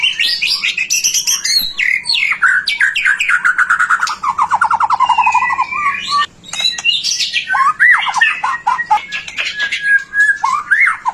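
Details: White-rumped shama singing to stimulate other shamas: high scratchy notes sliding into a long, falling rattling trill, then rich rising and falling whistles and varied chattering phrases.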